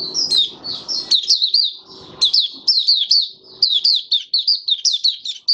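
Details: Oriental white-eye kept in a cage, singing 'buka sing' style on 20 January 2022, five days after monthly deworming. Rapid, high, sweet warbling in bursts of short slurred notes, each bout broken by brief pauses, with faint low room noise.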